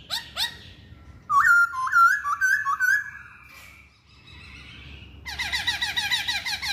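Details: Masked laughingthrush song with two sharp upslurred notes, a series of four bouncy whistled phrases, a quiet gap, then fast rolling warbles.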